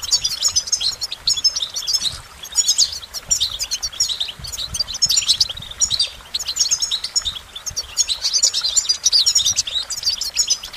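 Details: Over ten seconds a goldfinch keeps up a lively, unbroken warble of high twittering notes, buzzy trills and quick chirps, phrase after phrase with hardly a break.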